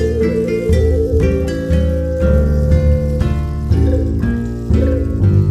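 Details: Plucked, harp-like instrumental music with deep sustained bass notes plays throughout, and no animal voice is heard.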